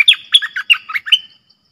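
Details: Clear-voiced red-whiskered bulbul in 'double song' lure style: a fast, continuous string of about six bright, rolling, up-and-down whistled notes, loud and close, without background sounds.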